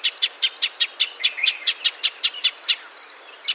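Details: Steady series of sharp, ticking chip calls, about five per second, from a Shining sunbird recorded in its natural desert habitat, with a thin constant whine behind.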